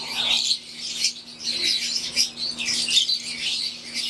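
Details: Wild-type green Fischer's lovebirds and Euwing lovebirds in an aviary give a rolling chorus of shrill chirps that swell and fade in bursts about every second, over a soft steady hum.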